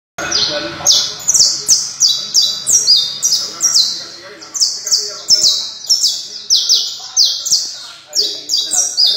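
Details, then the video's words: Criollo canary singing a continuous song of bright, high descending whistled notes, each swept phrase repeated in quick succession about three to four times per second, steady and loud throughout. "Canario Criollo"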